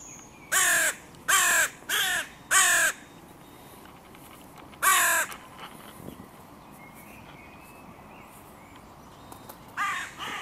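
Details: Four harsh caws come in quick succession, about one per second, then a single caw after a pause and another near the end. These are crows disputing the junction of three breeding pairs' territories at a park music pavilion.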